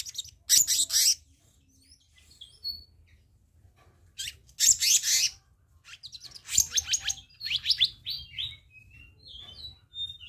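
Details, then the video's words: Black-naped monarch for luring: harsh, rasping bursts in separate bouts, then a run of descending whistled notes that fade gradually, with short pauses between phrases. "Masteran/Pancingan Kehicap Ranting Bahan Dijamin Langsung Nyaut"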